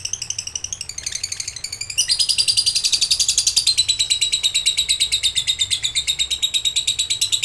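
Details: A fired-up lovebird delivers a long ngekek to summon rivals. High chattering notes come in a rapid stream, briefly dipping lower near the first second, then growing louder and denser from two seconds onward.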